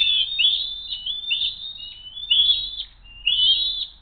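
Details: Eagles squabbling over food at their nest, one attempting a steal while the other keeps possession, 07-02-2023 at 12:10; four piercing upslurred whistles, roughly once a second, with brief gaps.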